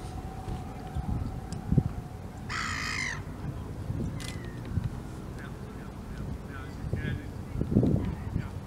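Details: A hooded crow (Corvus cornix) at Hoek van Holland on 28 February 2016 gives one loud, harsh, rasping caw of about half a second, with a fainter call later, over steady low rumbling background noise.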